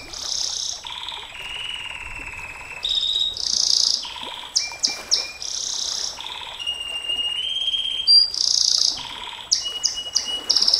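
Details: Extended 'nembak panjang' canary song, used for tutoring and provoking other canaries: alternating low steady whistles and high buzzy rolls, broken by quick sharp chips, and ending in a fast rattling trill.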